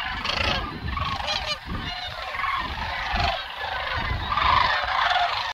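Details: A large flock of sandhill cranes at Jasper-Pulaski Fish and Wildlife Area, dated 11.10.2022, gives a dense, unbroken chorus of overlapping rolling, rattling bugles over a low rumble of wind.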